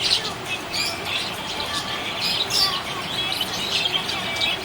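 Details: Cheerful budgerigar chirping: continuous soft, raspy twittering with a few louder high peeps, over a steady hiss.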